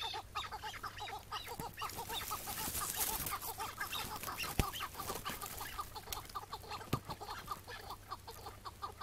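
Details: Wild Iraqi-type chukar partridge on a May 2017 morning, during a long struggle before it was caught and released on the spot. Dense, overlapping clucks run steadily, with a couple of sharp knocks and noisy background.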